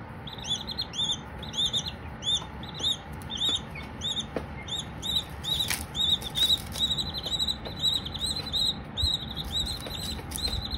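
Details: Several baby Silkie chicks chirping while cats watch nearby: rapid, high, arched peeps in quick overlapping runs, several each second throughout, over a low steady rumble and occasional soft clicks and taps.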